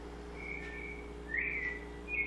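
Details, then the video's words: Sustained whistled notes from a double-collared seedeater in the sabiá song style, a long level whistle then a rising-falling slur and a final high note. "Sabiá Coleira"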